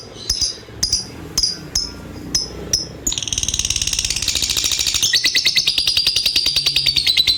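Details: Lovebird giving a long-duration ngekek song: a few sharp separate chirps, then a fast continuous high trill of rapid pulses that runs unbroken for over four seconds.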